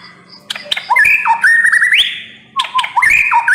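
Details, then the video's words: Murai batu (white-rumped shama) song in two bursts: clicks and short chips leading into whistled notes slurring up and down, a long rising clear whistle, then a repeat of the opening pattern. "MURAI BATU NEMBAK PEDES"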